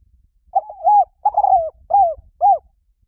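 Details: Spotted dove cooing as a lure call for drawing in wild doves: a phrase of four low, mellow coos, the first two longer and wavering, the last two short and arched, over a faint low rumble.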